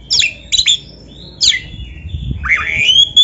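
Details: White-rumped shama singing a master song for training: short harsh downward bursts, then a long thin whistled note climbing steadily higher at the end.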